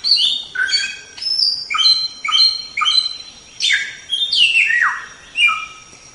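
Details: White-rumped shama song offered as a tutor recording for training songbirds: a lively run of clear whistled notes, several sliding downward, in quick varied phrases with short gaps between them, over a faint steady high tone.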